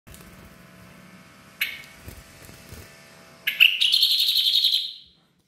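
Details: Tame bar-winged prinia of the Koya type, singing actively at Kotaraja, Jayapura: a short buzzy burst, a quiet pause, then a loud, rapid, buzzy trill of fast repeated pulses lasting over a second before fading out.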